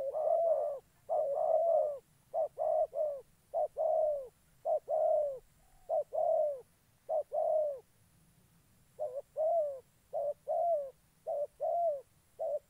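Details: Spotted dove used as a decoy bird for trapping wild doves in Gia Lai, Vietnam, cooing steadily: low, mellow two-part phrases, a short note then a longer slurred coo, repeated about once a second, with a faint steady high whine behind.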